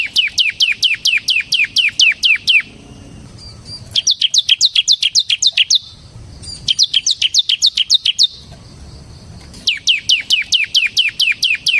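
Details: Bar-winged prinia, a semi gacor ciblek whose song serves to provoke and tutor ciblek kristal: bursts of rapid, sharp, downward-sweeping chirps, eight to ten per burst, separated by short quiet pauses.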